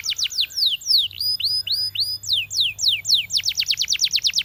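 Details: Canary of Belgian breed singing to prompt its companions: descending slurred notes, a series of clear rising whistles, then an accelerating run of quick downward sweeps.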